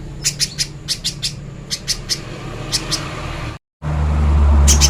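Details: Little spiderhunter heard in a clear training recording: paired and tripled high, sharp chips in short bursts, a sudden brief gap, then louder low rumbling with a few more chips.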